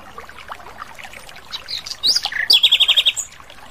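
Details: Wild Asian brown flycatcher singing in its natural habitat: a few faint scattered chirps, then a loud burst of sharp, high, varied whistled notes ending in a quick run of about eight rapid repeated notes.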